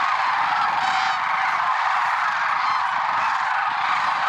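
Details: Early morning flock of lesser sandhill cranes, Merced National Wildlife Refuge, February 6, 2023, calling together in a thick unbroken wall of rolling bugled notes, a few rattles standing out near the first second.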